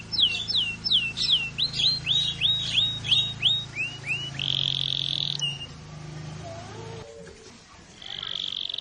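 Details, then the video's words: Canary singing vigorously: a run of about twelve sharp, downward-sweeping whistled notes at a quick steady pace, then a rapid high buzzing trill, a few soft lower notes, and a second high trill, over a constant low hum. "SUARA BURUNG KENARI GACOR"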